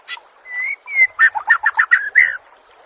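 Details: Murai song used as a training recording for caged contest songbirds: two drawn-out clear whistles, then a fast burst of about eight short, rich chattering notes ending on a brighter whistled phrase.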